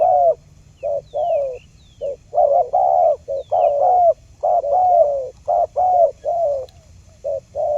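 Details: Spotted dove calling as a lure for trapping: steady series of short, low, mellow coos in tight clusters, with thin high whistled chirps from other birds faintly in the background.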